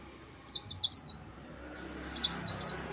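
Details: Yellow-fronted canary, song used to stir up rival birds: two quick bursts of high, bright twittering notes about a second apart.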